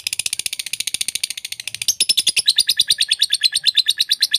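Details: Lovebird vocalizations mixed into a lure track for training other lovebirds to copy varied sounds: a fast, high-pitched chatter of short notes, about three per second, rising slightly in pitch partway through.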